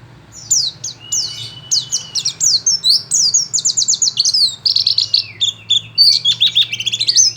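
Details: White-eye (pleci) from Pacitan singing a rapid, high twittering song of sharp downslurred chirps and trills, phrases run almost continuously with short gaps, one long thin whistle near the start, faint low hum behind.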